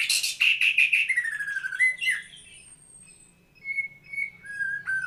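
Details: White-rumped shama singing: a rapid series of about seven loud chattering notes running into a falling whistle, a long high thin note, then spaced short whistles after a pause.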